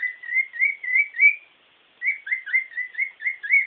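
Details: A pet bird sings its happy song: a steady string of clear, slurred whistled notes, about four per second, pausing briefly midway before resuming.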